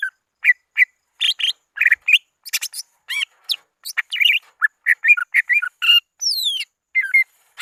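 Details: Greater green leafbird calling rivals on a lure recording: busy mix of sharp chirps, slurred whistles and buzzy notes in quick irregular bursts, with one long descending whistled glide near the end.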